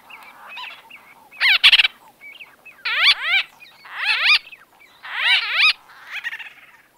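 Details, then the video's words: Close-up white-fronted bee-eater conversation: loud, nasal, squeaky bursts with strong harmonics, each about half a second, given in a steady series roughly every second, with softer twitters between. "White-Fronted Bee-Eater. NB: Exact Date Of Recording Not Known. MCU-CU Conversa"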